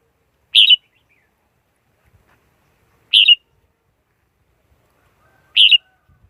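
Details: Decoy red-whiskered bulbul, used to lure wild birds into traps, clean recording: single short bright chirped notes, each slightly warbled, repeated about every two and a half seconds with silence between.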